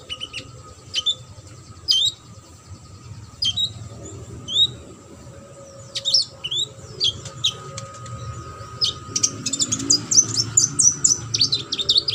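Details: Sunbird, a competition bird, sings scattered high upswept whistles a second or two apart, building into a dense, rapid burst of high chattering notes toward the end.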